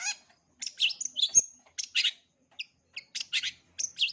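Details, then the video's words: Full-repertoire singing by a long-tailed shrike, meant for young birds to copy: a varied run of high squeaky chips, short whistles and harsh twittering bursts, delivered in quick groups with short silent gaps. "Cendet isian lengkap, COCOK untuk CENDET MUDA belajar BUNYI, JITU dan GACOR"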